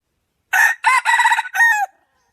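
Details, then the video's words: Rooster crow in four loud, hoarse syllables, the middle ones broken and wavering, the last drawn out and falling away at the end; clean background with no other sounds. "suab qaib dib quas zoo heev"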